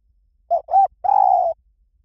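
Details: Lui tan style coo of a spotted dove, used to train doves to answer: a brief soft note, a slightly arched second note, then a drawn-out level coo lasting about half a second, nothing else audible.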